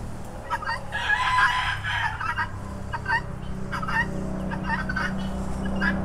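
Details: Rooster with a loud raspy call early on, followed by a series of short clucking notes in small groups, over a steady low droning hum.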